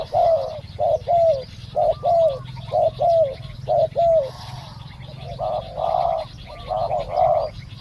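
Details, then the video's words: Spotted dove decoy work, the wild bird eventually captured. A run of even, down-curving coos about once a second, then broader, blurrier coos toward the end, against a low steady hum. "เสียงนกเขาใหญ่ ต่อสด ต่อ นกเขาใหญ่"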